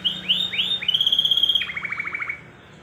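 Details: Canary singing a lure song meant to prompt young canaries to sing, and a mating lure: clear high whistled upslurs, then a sustained buzzy trill, then a fast run of downward-sweeping notes that fades out.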